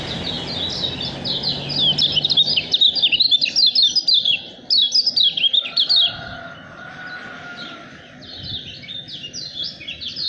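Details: Lemon-bellied white-eye, a caged bird said to be a top-quality contender, singing in fast bursts of high, sweet, rapidly slurred chirps and twitters, pausing briefly mid-clip before resuming, with low background hum.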